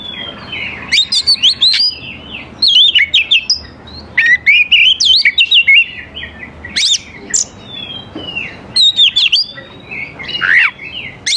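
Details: Oriental magpie-robin in full song, used to lure young forest birds to answer: repeated bursts of fast, varied whistled phrases with sharp chips and slurred notes, pausing briefly between bursts.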